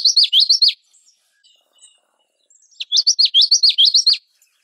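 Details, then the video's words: Common yellowthroat singing two bursts of its rolling phrase, each a quick run of three to four repeated looping, slurred notes lasting under a second, separated by a pause of about two seconds; faint high chips in between. "Common Yellowthroat Song"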